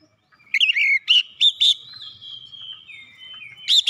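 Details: Oriental magpie-robin song intended to trigger singing in reluctant magpie-robins; a slurred falling whistle, several sharp chirping bursts, a long thin steady tone, then a final loud chirp.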